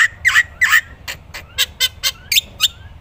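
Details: Black-winged myna used as a tutor recording for other songbirds: loud harsh nasal squawks, then scattered rasping notes and two short rising whistles.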